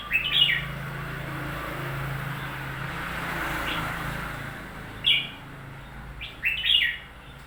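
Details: Newly bought red-whiskered bulbul uttering several short, sharp chirpy phrases spaced seconds apart, over a constant low rumble like passing traffic.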